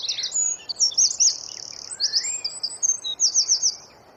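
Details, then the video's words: Rapid 'tembakan' wren song meant for songbird training: high twittering phrases with sharp whistles, a downslurred note, and a closing quick series of four or five clipped high notes. "Masteran Burung Suara Tembakan Wren Bird Suara Bren Tembakan Rapat Burung Kecil"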